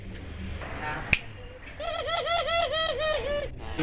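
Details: Albino Barbary dove, described as vocal and calling readily, giving a rolling, wavering coo of about a dozen quick undulating pulses over roughly two seconds, after a short quiet phrase and a sharp click.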